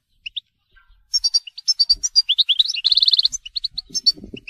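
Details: Telqam European goldfinch singing bright chattering phrases that build into a fast rattling run of repeated high notes, then scattered twitters, with light low rustling at the close.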